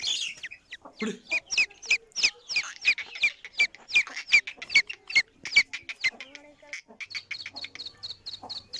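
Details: Female black francolin (kala teetar) call, used to attract and excite males: rapid run of short, sharp high chipping notes, about two or three per second, rough at first then settling into an even, ringing series.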